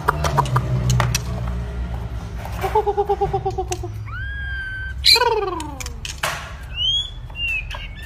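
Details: White-rumped shama practising its song. A fast run of repeated paired notes gives way to loud downward-sweeping whistles and scattered high whistled phrases. Background clatter and a low hum are also heard.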